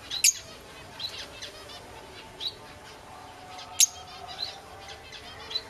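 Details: A pair of green masked lovebirds kept as pets since December 2008; a few sharp, shrill chirps stand out against quiet background hiss, with loud notes near the start and middle and softer chirps between.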